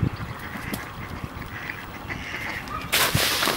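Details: Ducks scuffling on ice, with repeated nasal quacks over a chattering flock, ending in a loud burst of splashing or flapping.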